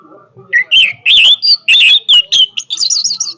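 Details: Powerful song of an orange-headed thrush: a fast run of loud, varied whistled notes, some slurred and some sharp, closing with a high, jittery twittering trill.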